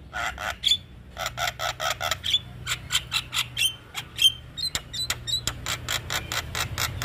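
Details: Javan myna song for training cage birds: a fast run of harsh clicking and rasping notes, broken by short high whistled pips, continuing busily throughout.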